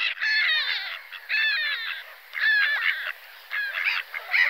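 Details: Black-headed gull uttering loud, grating, harmonic kreeah calls in four rapid bursts of stuttering notes about a second apart, the last ending in a higher squeal.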